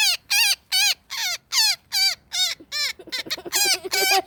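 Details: Woodpecker entangled in a net giving loud, evenly spaced harsh distress squawks, then a burst of overlapping, lower, choppy calls in the final second and a half.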